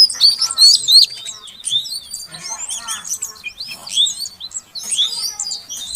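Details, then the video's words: Female Oriental magpie-robin calling to encourage a non-singing male: a few loud rising whistles, then softer mixed chirps and twitters with quieter pauses. "Suara Kacer Betina Untuk Pancingan Kacer Jantan Yang Macet Bunyi Agar Gacor"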